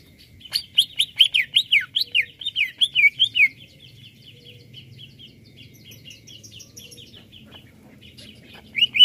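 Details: Greater green leafbird (cucak ijo) singing to stir up other birds: an energetic run of rapid whistled and slurred notes for about three seconds, softer twittering afterward, and a brief loud burst at the end.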